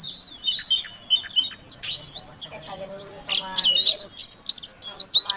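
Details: Female Oriental magpie-robin calling so a male that has gone silent will sing: mixed chatter and a harsh upward sweep, then clear, evenly spaced whistled notes, about three per second.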